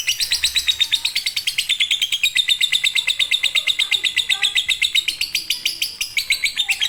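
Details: Konslet-style lovebird song, a tutor for birds that will not sing: an unbroken stream of quick, high, metallic chirps, the pitch wavering slightly up and down for seven seconds.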